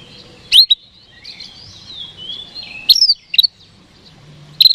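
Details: Oriental magpie-robin (kacer) in full 'gacor' singing, played to provoke rival birds into quick response; sharp high whistled notes at intervals over a thin sustained high tone and soft background rustle.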